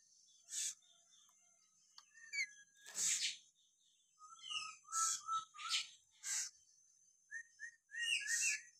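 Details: Lory from Papua, natural whistling: clear whistled notes and short slurred phrases, some in quick runs of three or four, mixed with loud harsh bursts of sound.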